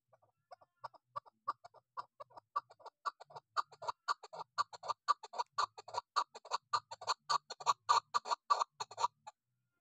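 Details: Female chukar partridge calling: a rapid series of clucking chuk notes, building in speed and loudness to about eight notes per second, with a faint low rumble beneath.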